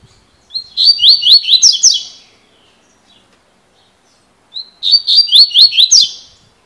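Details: Double-collared seedeater (coleiro) singing in the spirited 'fibra' style of song known as 'cilada': two bright phrases about three seconds apart, each opening with a whistled note and running into a quick series of slurred, buzzy, down-swept notes.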